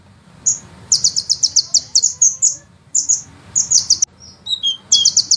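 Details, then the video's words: Rolling, fast sunbird song used as a master recording for training songbirds: bursts of very high rapid notes in several phrases, ending with a few thin descending whistles before a final trill. "suara penghisap madu ngeroll nembak panjang"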